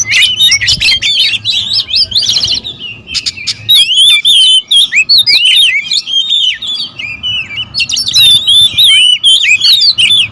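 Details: Oriental magpie-robins, a territorial species, squabbling in loud overlapping song of twisting whistles, rapid slurs and harsh scratchy notes, nearly unbroken, over a faint steady hum.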